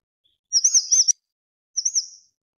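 A Grey-chinned Minivet gives high, thin, warbling trills, one of about half a second and a shorter one a moment later, with a quiet background.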